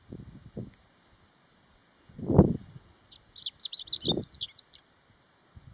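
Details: Chestnut-eared bunting on the Utsukushigahara highland plateau in Nagano, Japan, in early summer, 15 June 2020, under strong sun with a cool wind; a quick burst of thin, high, scratchy twittering notes lasting about a second and a half, between low wind thumps.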